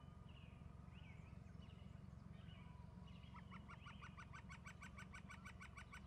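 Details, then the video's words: Two eagles perched on branches call: a rapid, evenly spaced series of sharp, high piping notes in the second half, after scattered faint whistles from other birds, over a steady low rumbling background noise. "Eagles calling"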